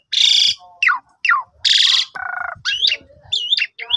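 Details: ['Harsh and fluty mix from an Asian pied starling, used as a morning lure: raspy broad bursts alternating with sharp downslurred whistles, a low buzzy trill and looping whistled phrases.']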